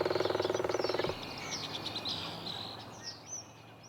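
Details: In spring a Northern Flicker drums territorially on a tree: a rapid, even roll of about twenty taps in just over a second, then silence. Faint high chirps of other birds follow.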